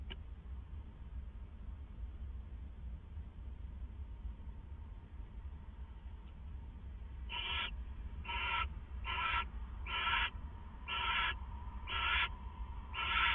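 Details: Owl at the Hideout, one of two named there, before dawn at 4:49 AM on April 27, 2014. After about seven quiet seconds of low hum, harsh hissing screeches begin and repeat roughly once a second, seven in all.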